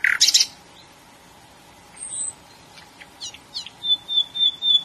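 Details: Nightingale song with an opening harsh, loud burst, then scattered thin whistles and short sweeping notes, closing on a long, steady high whistle.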